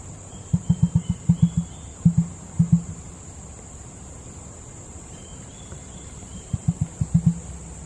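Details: Emu at a crocodile park making its drum noise: deep, low thudding pulses in quick clusters of two to five beats, a pause, then more clusters; a steady high insect hum and faint whistles in the background.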